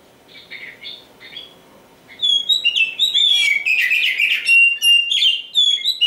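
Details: Champion oriental magpie-robin (kacer) singing: after two quiet seconds of soft chirps, a loud rush of varied whistles, trills and sharp upslurred notes, high-pitched and fast-changing, with rapid repeated phrases.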